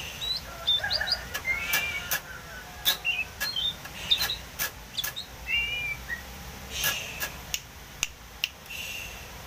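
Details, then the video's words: Wild Oriental magpie-robin in full song, used as a lure call: short, varied whistled phrases, some sliding up or down, broken by sharp dry clicks, over a soft steady hiss. "BURUNG KACER GACOR ‼️ || SUARA PANCINGAN AMPUH BURUNG KACER ALAM LIAR"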